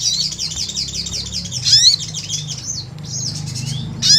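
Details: Sunbird (sogon), energetic gacor calling used as a pancingan lure: quick series of high looping, wavy notes, a few sharp slurred squeaks, then softer descending slurs, with steady low hum beneath.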